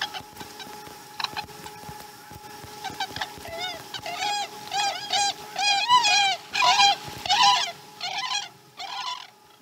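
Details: Osprey at a Chesapeake nest, morning feeding with a slow start, 2019 12 12; calling builds from scattered chirps into an intense series of loud, repeated, arched whistled yelps, roughly one or two per second.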